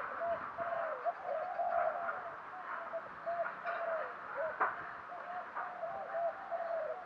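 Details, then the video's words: Spotted dove used as a lure bird, cooing in thúc gù style: continuous low, rolling coos under heavy hiss and rumble, with a brief knock near the middle. "chim cu mồi thúc gù, chim cu gáy kích bổi mới nhất, cu cườm thúc gù giọng hay"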